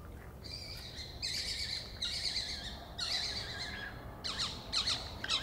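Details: A juvenile Little owl (thought to be), calling on 25/06/2013 near feeding badgers, which stop eating to listen: harsh, hissing screeches, about five rasping bursts in quick succession, over a faint background hum.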